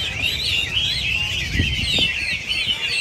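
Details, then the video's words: A group of Chinese hwameis in full song. Bright, rapidly slurred whistles rise and fall over one another in a continuous, overlapping chorus. "Giàn Mi hót - Mi hót giàn"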